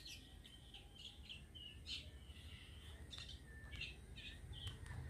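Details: Wild long-tailed shrike singing: a run of short, high whistled and chirped notes, several per second with brief pauses, over a steady low rumble of background noise.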